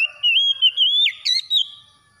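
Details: Oriental magpie-robin song, meant for after-dawn playback to revive stressed birds: loud, clear whistled notes that glide and warble around one steady pitch, broken by short pauses, with a few sharp upward-swept phrases before it fades.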